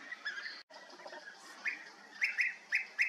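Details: European bee-eaters at Bölcske, Hungary, a group of birds calling: bright, burry, rolling chirps in quick pairs near the end, after softer distant calls and a brief dropout early on.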